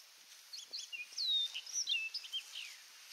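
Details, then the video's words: Orchard oriole singing at Donnelley WMA in coastal South Carolina: a rapid, varied warble of whistled, slurred notes, some rising and some falling, delivered in a quick jumbled phrase about two seconds long. "Orchard Oriole Singing"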